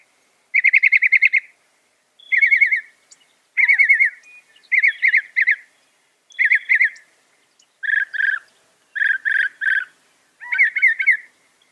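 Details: Northern mockingbird, a mimic of other birds, singing loud, fast phrases: buzzy trilled bursts each repeated several times, about one phrase per second and a half, changing type midway, in clean quiet surroundings.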